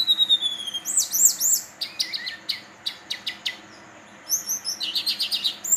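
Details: A young male brown-chested jungle flycatcher (Cyornis brunneatus), 3–4 months old, sings high, thin whistles mixed with quick bursts of sharp, chattering notes, with quiet pauses between phrases.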